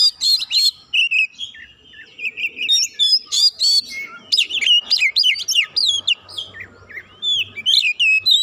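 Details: Oriental magpie-robin singing, provoked by a rival and showing its full repertoire: a rapid, varied run of sharp whistles, slurred rising and falling notes and buzzy trills, delivered in quick bursts about three per second with brief gaps.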